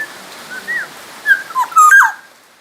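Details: A Black-naped oriole, said to come from Sumbawa, sings a few mellow whistles followed by a louder cluster of swooping, liquid notes, over faint steady noise.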